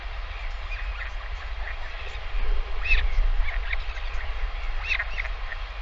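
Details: Parent northern royal albatross returns to feed its chick lunch at the nest on a live camera; short squeaky begging notes come in loose clusters near the middle and end, with constant wind roaring underneath.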